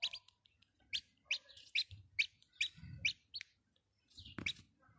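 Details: Chicks cheeping: bright, short downward peeps repeated irregularly, roughly two per second, with brief pauses and a louder sharp chirp near the end; faint low rumbling underneath.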